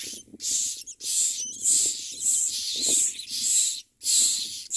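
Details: Common myna babies begging as parents bring worms and locusts: loud, wheezy, hiss-like rasps running nearly continuously in long drawn bursts with brief gaps, above a soft low-pitched rumble.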